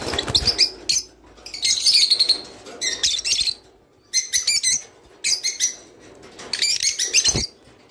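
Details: Java sparrow singing, played to get birds to pair up: short rattling runs of high chirps and bell-like twitters separated by silent gaps.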